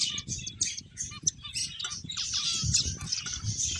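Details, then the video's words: Several finches at play, giving a dense chorus of high, squeaky chirps and short squawks, overlapping almost without pause, with low rustling and scraping beneath. "Cute Birds Chirping Sounds | Beautiful Finches Playing"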